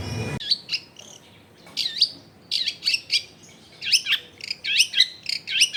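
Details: Long-tailed shrike (cendet) singing as a lure for shrikes that are slow to sing, recorded at a home in a densely populated area: high swooping whistles and chirps in quick clusters, little background noise.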